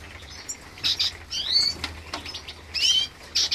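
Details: Green siskin × canary hybrid, captive, during a nest check: bright, high chirps and upslurred twittering notes in short bursts, mixed with fluttering wing sounds and soft clicks.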